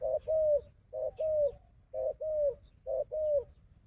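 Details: Fighting wild dove facing a decoy dove, giving deep cooing phrases: a brief coo followed by a longer, slightly falling one, repeated four times at roughly one-second intervals over quiet low rumble.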